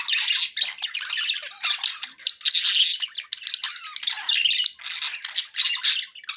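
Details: Pet budgerigars chattering continuously in dense, buzzy, scratchy bursts, with brief squawks and chirps tumbling together without pause, several birds overlapping, mid-to-high pitched throughout.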